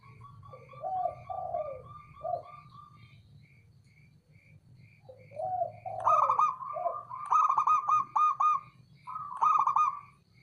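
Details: Low mellow coos open the recording, then a male zebra dove (local perkutut) breaks into several loud, trembling, rapid-fire coo phrases in quick succession, with faint steady ticking throughout.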